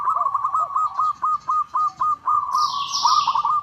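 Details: Local zebra dove calling a rival, suited as a lure: a steady run of about a dozen clipped, evenly spaced cooing notes, quick and metallic, with a softer lower dove answering at the start. A high bird twitter enters halfway.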